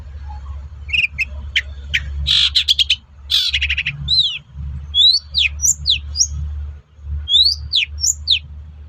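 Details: Cendet, the long-tailed shrike, singing to provoke replies from other shrikes: dense chattering trills and rasps, then clear down-slurred whistles, over a steady low hum.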